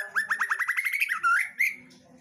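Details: ['Female White-rumped shama delivering a rapid trill of about ten rising whistled notes, then two longer loud slurred whistles.']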